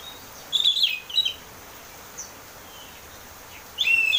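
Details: Oriental magpie-robin, or kacer, in ngeplong song used as a lure: two short, bright warbled phrases early on, a faint whistle, then a loud rich phrase at the end, over a steady hiss.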